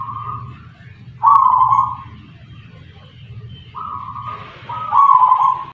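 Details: Local wild-type zebra dove from Tuban, East Java, kept in the punden singing style: soft low cooing phrases, a longer bubbling coo followed by shorter ones, with steady low engine-like hum and faint noise beneath.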